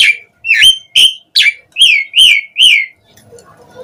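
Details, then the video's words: Lure song of an Asian pied starling, meant to make other starlings respond: seven bright whistled notes, each slurring up and then level, delivered about every half second before the bird falls silent. "Pancingan Jalak Suren Gacor Memancing Suara Burung Jalak Biar cpt Respon NYAUT ikut Gacor"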